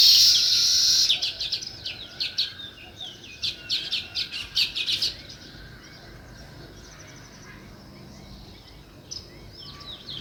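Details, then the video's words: Sparrows open with a loud chattering burst, then sharp separate chirps repeat for several seconds before quiet, with one faint chirp near the end. "Natural Sparrow View and Sounds | Chirping Sounds"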